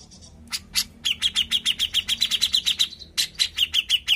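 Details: A Grey-cheeked Bulbul singing actively, used as a lure recording, gives a fast, chattering run of sharp notes, about five to six per second, with a brief pause before the burst resumes.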